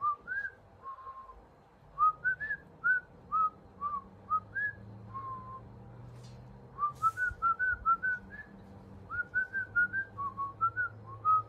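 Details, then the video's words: Pet parrot whistling a melodic tune of clear, pure notes, some rising and some held flat, in quick runs and short phrases with brief pauses, over faint low background hum. "My 🦜 Parrot Is More Musical Than Me!"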